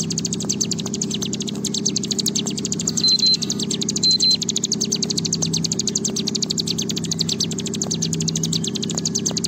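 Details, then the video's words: Long 'ngebren' song of a bar-winged prinia, meant to stimulate kept birds to sing: an unbroken, fast stream of sharp high chips lasting the whole stretch, two short pure tones midway, steady low droning hum behind. "Ciblek Gunung Gacor Ngebren Panjang"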